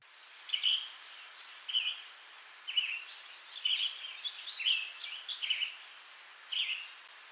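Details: Western Tanager song recorded at a nature reserve near Santa Rosa, California: short, hoarse, burry phrases in a robin-like rhythm, about one a second with brief pauses, over a faint steady hiss.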